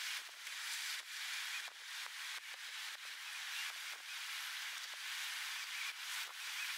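A steady high hiss with irregular rubbing and splashing bursts, and no distinct animal calls.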